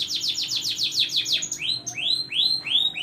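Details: Canary in steady, lively song, played to prompt silent canaries to sing: a fast series of loud, high downward-sweeping notes, then several slower rising, upslurred whistles, with a faint low hum beneath.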